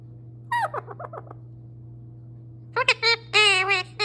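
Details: Pet parrot, male, keeping up continuous talk: a string of quick, falling chattery syllables, a pause, then loud clipped words leading into a drawn-out, wavering voice-like phrase, with a steady electrical hum underneath.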